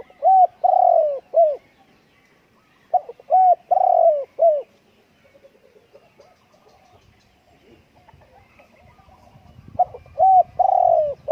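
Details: Spotted dove repeating its cooing phrase three times, each made of several mellow coos with one longer note. The phrases are a few seconds apart, with quiet gaps and faint background rustle.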